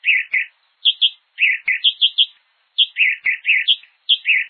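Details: A Hepatic tanager (Piranga flava) in Brazil sings a lively run of burry, slurred notes, alternating higher and lower phrases at a brisk, uneven pace, with a few faint clicks in the background.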